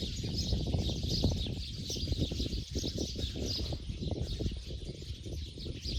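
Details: Flock of sparrows heading to their night roost in Bodoland, chattering nonstop in a thick chorus of overlapping high chirps and tweets, with steady low background rumble throughout.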